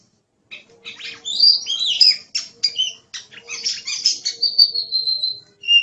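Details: Oriental magpie-robin (kacer) in full, lively song, a masteran tutoring recording for songbirds: rich, varied whistles, buzzy trills and sharp chirps in fast bursts, ending with a long, clear, slightly falling whistle. A faint steady low hum underneath.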